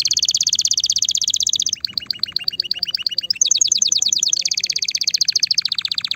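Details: Loud, excited male canary song meant to stimulate mating and prepare females for nesting: rapid trills of fast repeated high notes, shifting every second or two between buzzy rolls, clear pulsed phrases and a descending sweep series.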